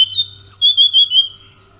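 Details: Orange-headed thrush giving a short run of sweet whistled notes, rising then wavering and falling, with a steady low hum beneath.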